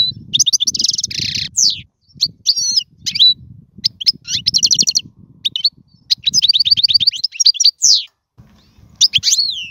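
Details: Song of a European goldfinch, played to train young birds: clustered bursts of rapid metallic twitters and buzzy trills separated by short pauses, with a steady low rumbling background throughout.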